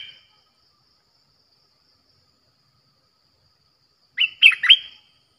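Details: Streak-eared bulbul, fierce song used to call wild birds closer: a long silence, then one sharp three-note phrase of bright, down-slurred chirps near the end.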